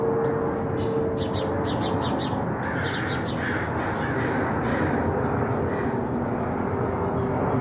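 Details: Angry crows in a neighborhood giving harsh, hoarse caws in a loose series amid steady background noise and some higher chirping birds.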